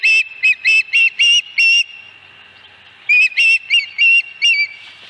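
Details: Osprey on its nest at Dunrovin Ranch, 26 August 2020: two bursts of loud, whistled chirps, five or six notes in each, separated by a pause of over a second.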